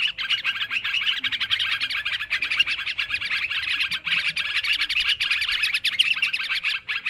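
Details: Lure recording of noisy sooty-headed bulbuls: dense, continuous twittering and bubbly calls from many birds, without a pause.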